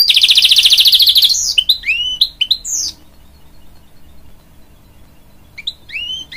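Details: Hybrid goldfinch singing to encourage young chicks: a loud, buzzy rapid trill opens, then a run of sharp rising whistled notes, a pause of near silence, and a few more upward-sweeping notes at the end.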